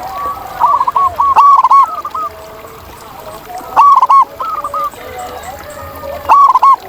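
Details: Wild local zebra doves singing in turn. Three loud phrases arrive about every 2.5 seconds, each a sudden click-like start followed by gurgling coos, with quieter neighbouring doves behind.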